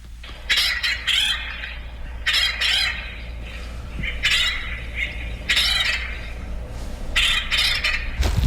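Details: Quite a few Acorn Woodpeckers in San Diego, California give harsh, nasal, squawking calls in bursts about every second, overlapping one another, over a low background rumble.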